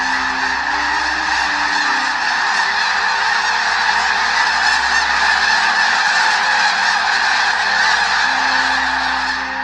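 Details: Tens of thousands of snow geese arriving in early spring on Southern Alberta wetlands, resting and feeding before going on to Arctic nesting grounds, give a constant roar of overlapping nasal, high-pitched honks and barks.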